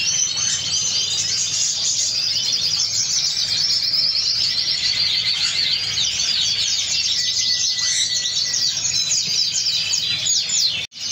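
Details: Singing canary delivering a dense, unbroken stream of high twittering trills and chirps, with a few lower whistled notes near the end before a sudden stop.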